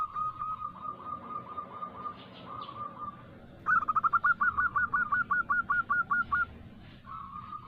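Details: Lure recording of a local female zebra dove calling a male: low rolling coos, then a loud burst of about fifteen quick hooked notes in steady rhythm, followed by a softer rolling coo.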